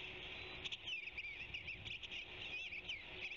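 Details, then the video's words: Eastern bluebird singing from a branchlet at the Savannah osprey nest site: soft, warbled phrases of high, gliding notes run through the whole stretch over a steady background hiss. "Eastern Bluebird singing on branchlet"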